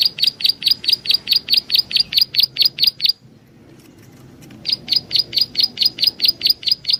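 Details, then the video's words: Prinia, a local Indonesian 'prenjak alang-alang' call used as a lure: sharp high chirps repeated rapidly, about four per second, broken by a short pause before the series resumes. "suara burung prenjak Alang Alang || buat pancingan"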